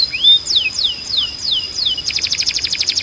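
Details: Canary singing as training audio for young males: a rising whistle, then four spaced downward-sweeping notes, switching to a very quick high pulsed trill.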